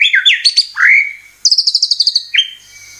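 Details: Murai batu (white-rumped shama) lure song: twisting whistles, a swelling rising note, then a quick burst of about ten high clipped notes and a final swooping whistle.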